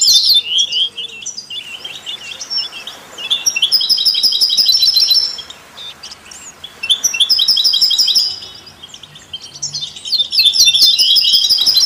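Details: Goldfinch song for stimulating other songbirds, with canaries and mules: three loud runs of fast, bright trills and twitters, each separated by a quieter gap of faint chirps.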